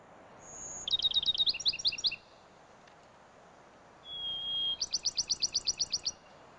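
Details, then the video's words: Bachman's sparrow, a southeastern US pine woodland songbird that sings all day from early spring through summer: a high whistled note followed by a rapid trill, repeated as a clear sustained whistle then a quick even trill. "they're considered drab and shy, Bachman's sparrows are inspired vocalists."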